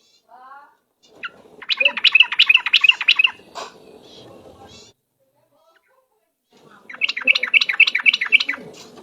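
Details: Yellow-vented bulbul, known locally as trucuk, giving ropel-style lure song: two loud phrases of rapid, evenly repeated bubbly notes, with a short gap between them.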